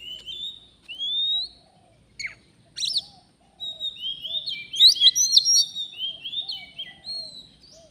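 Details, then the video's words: Oriental magpie-robin from the forest singing as birds are lured for trapping. Rising whistles and sharp chips lead into a lively stream of warbled phrases and bright whistled notes, with faint low background sound. "Kacer, begini jadinya kalau tidak di ajak duel fighter || full gacor"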